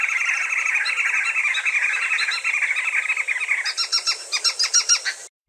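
A flock of Green Wood Hoopoes cackling together: a dense, harsh chattering chorus that breaks into rapid, rhythmic, high repeated notes near the end.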